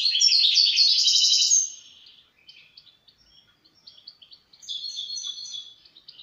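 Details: A European goldfinch opens with a loud, fast, buzzy twittering phrase lasting over a second, followed by softer quick chirps and a final run of tinkling trills.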